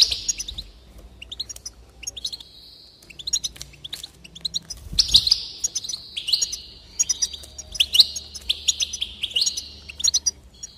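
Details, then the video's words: Goldfinch song used to stimulate singing: an extended stream of tinkling twitters and sustained buzzy, rolling trills, building in loudness past the midpoint and running almost without break. "increase the enthusiasm of the goldfinch and encourage it to song"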